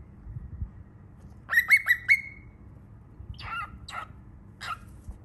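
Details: A baby cockatiel gives four quick, rising, whistled chirps in a row, then three softer, rougher chirps spaced apart, over a low steady hum.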